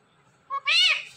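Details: One of two pet parrots talking at home utters a clipped first syllable, then a longer, loud, nasal second syllable rising and falling in pitch; a quiet background.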